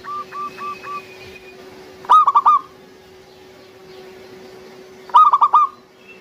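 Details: Local zebra dove used as a lure bird to prompt other doves into song; soft short coos, then two loud rolling cooing bursts about three seconds apart over a steady low hum.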